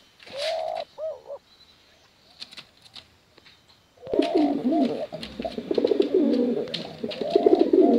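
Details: Pigeons, male and female, cooing to lure young birds; a few short rising notes, near silence, then a sustained stretch of overlapping rolling coos.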